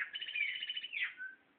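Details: Free chopi blackbird, being coaxed onto a hand, sings a quick rattling trill. It ends in a falling slurred whistle and a faint steady tail note.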